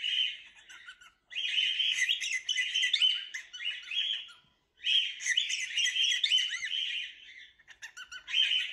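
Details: Cockatiels chattering in bursts of buzzy squawks and chirps, with two brief pauses between the bursts.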